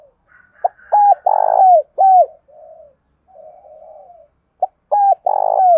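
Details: A spotted dove kept as a decoy gives a phrase of hoarse, rolling coos with short lead-in notes to call in wild doves, then begins again.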